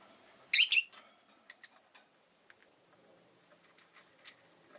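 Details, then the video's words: Rosy-faced lovebirds, five kept together in a cage by a window: two harsh, loud chirps in quick succession, followed by scattered faint clicks and soft ticks in a quiet room. "Lovebird Chirping Sounds"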